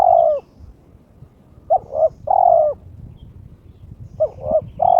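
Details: Kept male spotted dove (terkukur) in breeding condition, calling to challenge a rival: mellow cooing phrases of two short notes and one long, slightly falling coo, repeated three times in a quiet setting.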